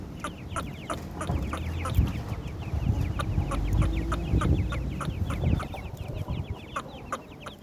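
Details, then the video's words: Partridge chicks keep up a stream of thin, slurred high peeps while a heavy low rumble and scattered clicks sit underneath. "partridge Chicks bird voice,teetr kr awaaz"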